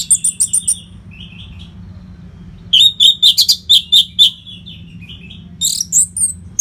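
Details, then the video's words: Orange-headed thrush (anis merah), nonstop training song for fighter birds: fast series of short high notes, a soft pause, then a long rapid train of sharp repeated whistles and a final high flourish. "COBA SUARA MASTERAN ANIS MERAH GACOR RAPET NO JEDA INI UNTUK MELATIH FIGTHER BURUNG AGAR SELALU FIT."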